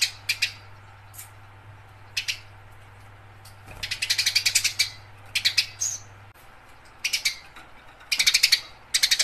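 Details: Fighting house sparrows: short doubled chips, then a long dense stretch of rasping chatter, followed by further bursts of quick harsh notes over a low hum.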